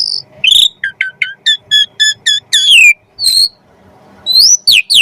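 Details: Jalak suren (Javan pied starling) training song for kacer birds: a high slurred whistle, then evenly spaced paired chirps, a sweeping downslur and a pause before rising whistled notes.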